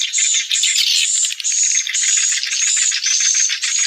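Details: Swiftlets returning to roost at dusk before evening prayer, original recording edited into a roosting lure sound: a continuous, high, buzzy twittering of bursts repeating about twice per second.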